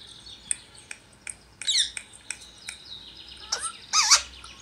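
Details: A rescued Indian ringneck parakeet gives a run of high, wavering chirps and warbled, speech-like talking sounds, mixed with sharp tapping clicks.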